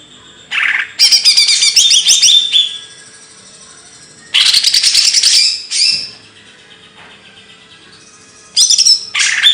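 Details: Bird song made of loud bursts of harsh, buzzy, rapid chattering, each lasting one to two seconds, separated by quiet gaps, with short high twittering notes in between.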